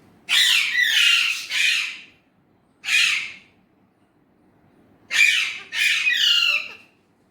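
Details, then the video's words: Indian ringneck parrot talking in Urdu/Hindi, three bursts of gravelly, slurred phrases of two syllables each, separated by quiet pauses. "Indian ringneck parrot amazing talking parrot"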